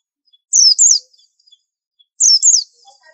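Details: Two separate doubled notes from a white-eye, each a high, thin whistle sliding steeply downward, spaced nearly two seconds apart. Faint low chirps trail at the end. Presented as an unusual tutor song.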